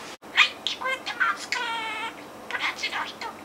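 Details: Captive budgerigar mimicking a comedian's gag taught by its owner, who mistakenly taught one word wrong; scratchy, high-pitched chattering syllables with a sustained nasal vowel near the middle, then rapid clipped sounds.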